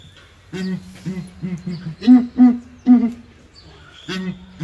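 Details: Southern ground hornbills in a small cage at ARTIS zoo boom together: a run of about eight deep, hollow notes in quick succession, some overlapping as several birds call at once.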